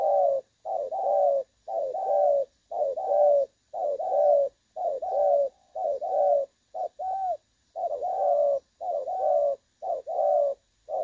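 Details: Spotted dove with a clear-voiced 'đồng son' style call, recorded for use as a trapping decoy. Low paired coos, a short note then a longer drawn one, repeat steadily about once a second throughout, with a faint steady high whine behind.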